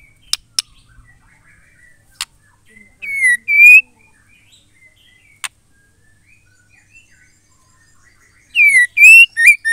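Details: Female white-rumped shama song that prompts males to sing. Scattered sharp clicks, a brief two-note whistle, a long quiet gap with soft notes, then a complete four-note whistled phrase at the end.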